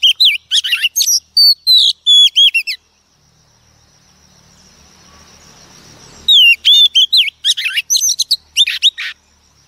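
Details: Singing female Oriental magpie-robin, a wild-caught bird used to excite males: loud varied whistles and chattering notes, a pause of several seconds with faint background noise, then another lively burst of whistled phrases.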